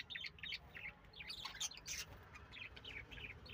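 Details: Lovebirds chirping: quick, high, sharp chirps in short bursts and run-together clusters, some overlapping, against a faint low background hum.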